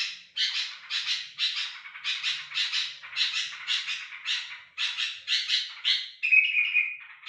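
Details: A loud sooty-headed bulbul used as a lure bird for wild bulbuls. It gives a fast run of harsh, buzzy, grating notes, mostly doubled, and ends with a brief clearer whistled phrase. The recording is close and clean.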